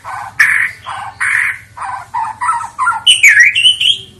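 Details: White-rumped shama, fighter type, in fighting style: a series of harsh squawking notes about twice a second, then high whistled slurs, over a faint low hum.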